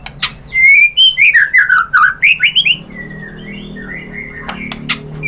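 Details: White-rumped shama recorded as a female calling the male, meant to provoke a male into singing: a rapid run of clear whistled notes sweeping up and down with sharp clicks, then softer drawn-out whistles over low background hum.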